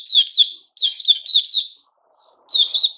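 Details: A white-crowned shama in a cage, moulting into new plumage, recorded 6 September 2021. It delivers rich, slurred whistled phrases in quick succession, with a short pause before a final burst.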